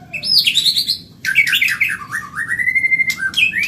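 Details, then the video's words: Medan white-rumped shama singing fast in a recording used to train caged birds: a high warbling phrase, a short pause, then loud tumbling whistles falling into a long level whistled note and a final rising flourish. "Masteran burung murai Medan super cepat gacor"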